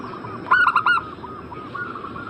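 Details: Zebra dove played as a lure to prompt a bird in breeding condition to answer: one quick phrase of four clipped, ringing coo notes, then softer, fainter cooing notes trailing in the background.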